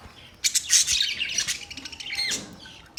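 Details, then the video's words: Budgie chirping starts abruptly with a loud squawky burst, then fades into softer twittering and falls quiet before a final chirp. "Budgies chirping sound"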